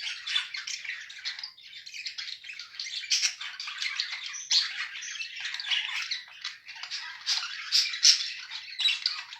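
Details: Caged budgerigar pair, mated, keeping up an unbroken warbling chatter of chirps, clicks and squeaky notes at an even pace.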